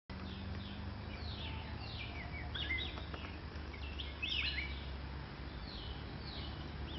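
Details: Common green magpie, seldom seen, in Pahang, August 2002: a run of sharp descending whistled notes and squeaky slurred calls over a steady low hum.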